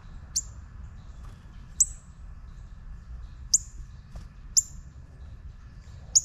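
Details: Five sharp, high, downward-flicking chips from a juvenile northern cardinal, spaced one to two seconds apart, with a faint low rumble throughout.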